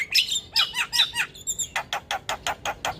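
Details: Javan myna on a training recording for other mynas: a few arched, slurred whistled notes followed by a rapid even series of dry clicks, about two to three per second.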